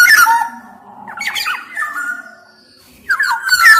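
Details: Black-naped oriole in lively song. A harsh, buzzy burst opens it, followed by a jumble of slurred whistles, a quiet pause, then loud rough whistled notes returning near the end.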